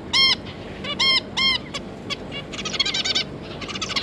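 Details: Pair of zebra finches with three juvenile babies, recorded 9 June 2022: three loud, nasal, honking beeps in quick succession, then a stream of fast, buzzy chattering notes.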